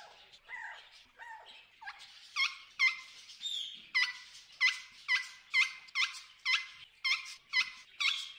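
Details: Hungry wild macaws in the Amazon jungle rainforest give loud, raucous squawks. Each call is a short harsh burst, repeated roughly twice a second in an uneven series, against a quiet background.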